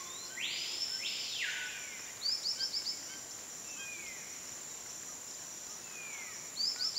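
White-lored Tyrannulet giving quick runs of about five thin, high whistled notes, twice. A louder sweeping note opens the recording over a steady high insect drone.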